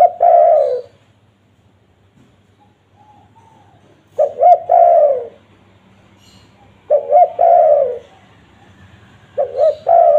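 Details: Spotted dove coos used to lure wild doves. A phrase ends at the start, then three more follow at steady intervals, each with two short notes and a long falling coo.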